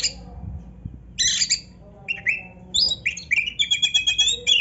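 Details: Oriental magpie-robin singing a dense, varied song: harsh squawky bursts lead into quick whistled slurs, then a fast, rhythmic run of sharp repeated notes in the last two seconds.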